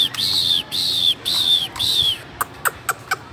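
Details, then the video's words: Chinese hwamei kept in a cage gives four long, high, pure whistles, each slightly falling at the end, followed by sharp clicking sounds. "chú họa mi hót như này"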